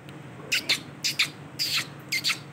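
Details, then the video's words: Male Ringneck parrot giving quick paired, harsh, high-pitched squawks, four short bursts within under three seconds. "Amazing sound of Ringneck parrot beautiful male Ringneck parrot"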